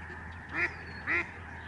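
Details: A Lesser Snow Goose calls from a flock overhead at the George C. Reifel Migratory Bird Sanctuary, Canada, November 2011. It gives two loud, nasal, barking honks half a second apart, with a faint chorus and hum behind.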